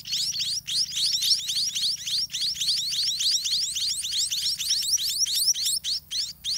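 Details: Several white-rumped munia nestlings beg loudly while parent birds feed them in a garden nest, producing a sustained, bright chitter of quick upslurred squeaks that thins toward the end.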